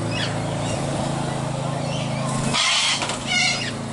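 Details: Wild sulphur-crested cockatoos visiting to be hand-fed, 7 March 2015; a man talks over a steady low engine-like hum, then a cockatoo gives two short, harsh, grating screeches near the end.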